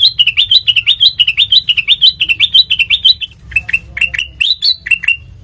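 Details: Sooty-headed bulbul song used as a lure for training birds: fast rising chirps in a quick series for about three seconds, then a looser run of separate sharp notes, with a low background hum.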